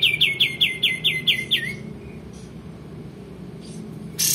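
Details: Actively singing male olive-winged bulbul, kept as training song for other cage birds: eight or so clear downward-sweeping notes in quick succession, then quiet with faint soft notes before a final loud burst.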